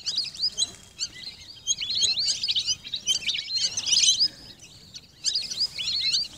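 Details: Lesser whistling ducks give crowded, overlapping high whistled chirps in repeated bursts of about one to two seconds, separated by brief quieter pauses.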